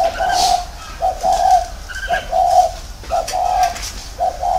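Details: Caged decoy spotted dove in a round cage repeating soft, hoarse coos in short runs of two or three notes, about one phrase per second, with faint chirps from other birds behind.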